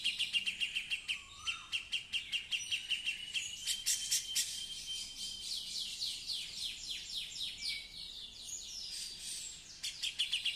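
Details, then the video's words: Female Cucak jenggot in full song: rapid high chirps and sweeping trills with brief whistled notes, a busy continuous stream of bright notes throughout. "Cucak Jenggot cewe / betina gacor"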